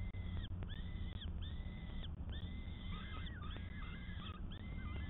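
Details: Peregrine falcon on a live camera feed dated 12 May 2022, calling persistently with long, even, wailing notes followed by shorter, wavering, chattering calls, almost continuous over five seconds, above a steady low rumble.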